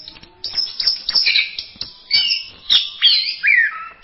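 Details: Orange-headed thrush singing in masteran style, with a soft start, then loud whistled phrases that glide and warble, ending with a descending slurred whistle.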